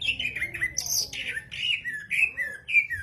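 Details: Gacor jamtrok song of a greater green leafbird: a lively string of loud, downslurred whistles with one very high squeaky burst early on, the notes following each other almost twice a second.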